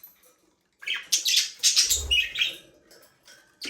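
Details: Busy high chattering and chirping from budgerigars, Australian parrots kept in a small aviary, packed into about three seconds of rapid warbled notes, with a brief low thump midway.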